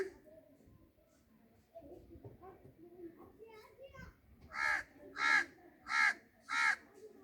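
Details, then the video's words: Low, indistinct background murmur gives way to four loud, raspy parrot squawks in steady succession near the end. "Talking parrot Beautiful parrot sounds natural"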